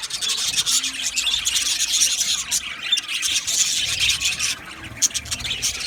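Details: Male budgies on 8 December 2025 filling the air with a thick wall of shrill, rapid chattering and twittering, many birds calling at once without pause.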